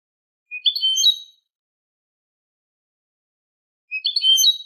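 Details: Eurasian goldfinch, Málaga-style tutor song for young birds and hybrids: two brief bursts of sharp, liquid twitters about three seconds apart, separated by silence.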